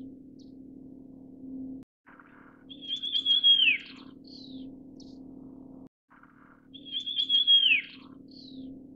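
Russet sparrow giving a bright, high chirping phrase that ends in a quick falling twitter, repeated about every four seconds over a steady low hum.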